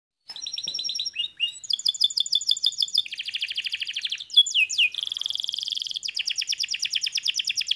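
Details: Canary singing a fast, varied song of high trills. Each tour changes roughly every second, moving between clicking rolls, buzzy rattles and sweeping slurred notes. There is no other sound.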